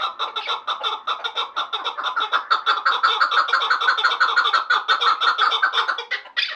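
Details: Chukar partridges from Vanj, a pair, pouring out fast repeated chucking notes in a dense rhythmic chatter, slightly louder and sharper toward the end, where a brief higher burst closes the sequence.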